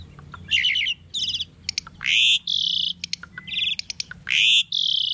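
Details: Captive tame Asian starling singing a training song: fast stuttering trilled notes mixed with long harsh buzzy bursts and sharp ticks, the phrases packed closely together.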